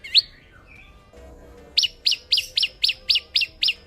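High, sharp chirps from an olive-backed sunbird, one opening note then a quick run of about nine repeated notes, roughly four per second.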